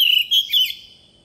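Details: Oriental magpie-robin decoy bird singing in wild forest style, used to train young birds' voices: a brief run of clear whistled notes, one held note then two short sliding whistles fading out.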